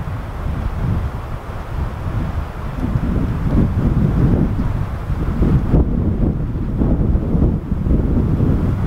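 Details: Strong wind buffeting the microphone over a continuous low rumble, with no animal call standing out.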